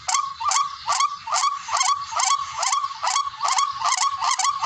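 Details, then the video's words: Barred rail calling, played as a hunting lure: evenly spaced, grating nasal notes with a quick upward twist, delivered at a brisk, regular rhythm of about two to three per second. "MABISANG PANG AKIN HONI NG TIKLING SOUND EFFECT BIRD HUNTING RUAK RUAK"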